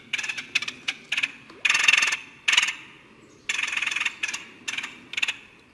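Red-headed woodpecker giving harsh, raspy calls: short scratchy notes mixed with longer grating churrs, delivered in irregular bursts over a quiet background.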